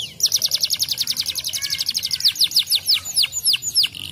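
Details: Canary singing to stimulate other canaries: a fast dense trill of short high notes, shifting midway into slower descending whistled sweeps repeated about three per second.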